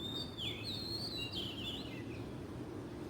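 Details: Wild Oriental magpie-robin in Southeast Asia giving a rich whistled song phrase, quick notes slurring up and down in a continuous run, set against constant low-pitched ambient noise.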